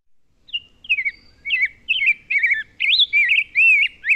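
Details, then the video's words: Rose-breasted Grosbeak song, a spring migrant songbird: a quick run of sweet, rich, slurred whistled phrases, about two per second, rising and falling. It is robin-like but smoother and is often confused with an American Robin, even by longtime birders. "That rose-breasted grosbeak can often be confused with a robin."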